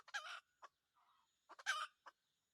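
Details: Wild red junglefowl rooster kept as a hunting decoy gives two short harsh strident bursts, each followed by a single cluck, with a faint murmur between.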